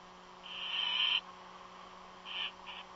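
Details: Unidentified bird calling from its nest, said not to be an eagle; a long, even, high rasping note, then after a pause two shorter, quieter bursts of the same tone, with a steady low hum beneath.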